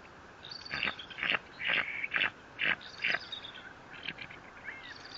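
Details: Bald eagle at its nest 57 feet off the ground at Fort St. Vrain, filmed by a live nest camera on 18 April 2024. About eight harsh, squealing bursts come roughly every half second, then softer, thinner notes trail off beneath steady background hiss.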